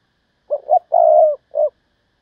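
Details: Thúc bổi call from a decoy spotted dove: two short low notes, a long level coo, then a brief closing note, clean and close.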